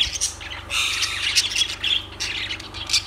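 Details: Harsh, drawn-out squawks from lovebirds, mixed with quick chirps, loudest in the first half, over a steady low hum.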